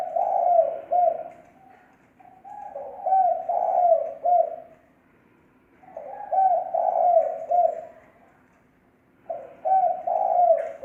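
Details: Lure call (thổ mồi) of a spotted dove, recorded without background noise: three separate cooing phrases, each a run of soft, hollow notes lasting about two to three seconds, separated by short silences.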